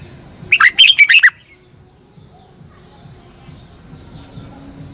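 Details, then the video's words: Red-whiskered bulbul singing a training song for caged birds: a single quick phrase of five or six bright warbled whistles, then quiet background for several seconds. "luyện giọng chào mào hót hay, Giọng xoắn tít -KÍCH CHIM CĂNG LỬA, Luyện chào mào hót sáng"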